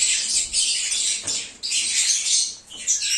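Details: Several lovebirds singing and chirping as a lure for a runaway lovebird: strident high twitters and thin whistled squeaks in two surges, briefly dipping between them.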